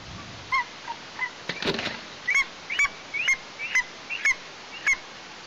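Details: Near a nest in Tatarstan, a fledgling female Eastern imperial eagle calls on 17 August 2023 after leaving the nest; a quick run of grating, hooked calls, about two per second, plus a brief rustle midway.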